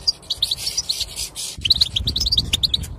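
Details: Brief burst of European goldfinch song for encouraging silent goldfinches: fast, bright twittering notes, briefly broken, then a second rapid tinkling phrase.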